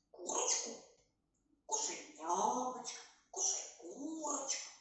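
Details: A female grey parrot, left alone in her cage for safety while her owners are out, gives three raspy, speech-like bursts about a second each, with chattering, talk-like phrasing and a few shrill whistled notes.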